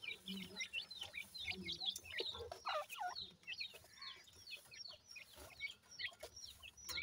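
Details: Baby francolin (teetar) chicks calling together in a dense chorus of short, high, downward-slurred peeps, rapid and overlapping, with faint low clucking notes beneath.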